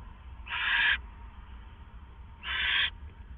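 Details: Owl at the Hideout shortly before dawn, 4:49 AM, April 27, 2014, two owls present. Two drawn-out, harsh hissing screeches about two seconds apart stand out over a quiet low hum.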